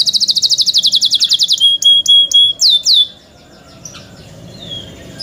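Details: Canary song from young birds, opening with a rapid high trill, then a few slow, separated downward-swept whistles and a held tone, ending in faint chirps.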